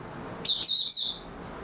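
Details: A single brief, high warbled phrase of under a second from an Oriental white-eye, called mata puteh, singing in stable form.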